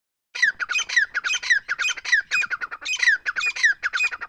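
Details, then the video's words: Partridge (teetar) calling: loud, harsh, squawking notes in a rapid rhythmic series, about four per second for over four seconds, alternating short clipped notes with downward-sliding strokes, with no other clear sounds. "teetar voice"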